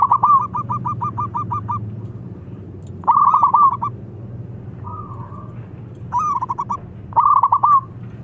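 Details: Local zebra dove, used as a lure to stimulate other doves to sing, gives a string of quick staccato coos followed by several rolling trilled phrases with short pauses, over a constant low hum.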